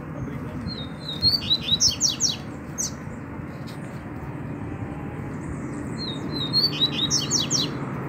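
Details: Wild double-collared seedeater in the bush in Brazil, where a calling chick also appeared. Two quick high phrases, about five seconds apart, each of thin sweeping whistles and buzzy down-slurred notes, over a steady low rumble of distant traffic.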